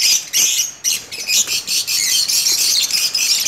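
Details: Lovebirds kept in a breeding colony giving loud, harsh high-pitched squawks and shrieks in quick overlapping bursts, almost without pause.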